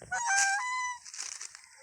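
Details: Goose being affectionate, said to have missed its keeper, gives one drawn-out, nasal honk lasting about a second, steady then dipping slightly at the end, followed by soft rustling and shuffling noises.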